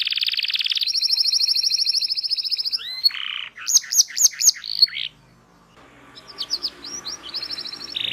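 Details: Canary song meant as a lesson for young birds learning to sing: a sustained rapid trill, then sharp chips and buzzy bursts, a brief pause, and quick upslurred whistles.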